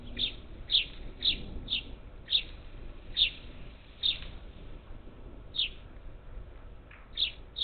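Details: Parakeets gathered at a feeder cam on the outskirts of Houston, Texas, 27 July 2021; quick series of harsh chirps, several in rapid succession, then a pause before more, over low rumble.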